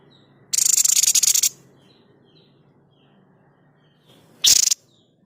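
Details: Tutor recording of a white-chested babbler's 'tembakan': a rapid, high, buzzing rattle of about one second, then a short sharp burst, with soft high whistles in the background.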